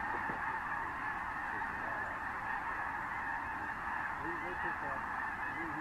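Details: Thousands of Snow Geese mixed with other species landing and flocking over fields at San Joaquin River National Wildlife Refuge in January 2014; a dense, unbroken roar of overlapping honking calls holds steady for the whole stretch, with no pauses.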